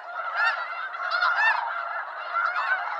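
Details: A wild flock of snow geese in eastern North America, loud rising and falling bursts of nasal honking from many birds at once.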